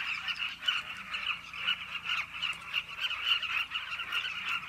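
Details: Carmine bee-eaters crowd a cliff colony with continuous overlapping calls, a rolling, slightly buzzy babble that swells and fades over a faint low background hum.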